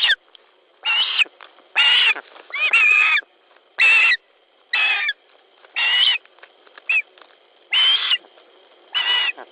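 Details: Osprey at a nest in Latvia, evening of 10 July 2013, one bird trying to take a fish from its mate; sharp harsh whistled calls repeated about every second in a steady series, each brief and piercing.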